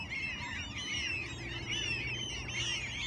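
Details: A crowd of gulls in Alaska squealing continuously, high bending cries layered over one another, deep constant rumble behind.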